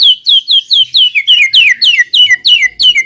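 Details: White-rumped shama song used as a lure to set other shamas singing: a rapid series of loud, downslurred whistled notes, about ten repeated evenly in three seconds, clean and high.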